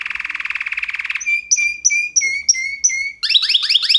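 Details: Canary singing: a buzzy, pulsing trill for about a second, then a run of short whistled notes with upward flicks about three times a second, ending in fast, rising, slurred notes.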